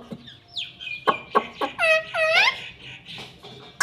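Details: A pet parrot talking over a noisy room background, with a few clipped syllables and two arched, nasal voiced words in the middle.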